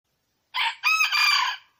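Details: Wild red junglefowl hen calling: a short harsh, harmonic burst followed by a longer, strained phrase of about one second, loud and clear against a silent background.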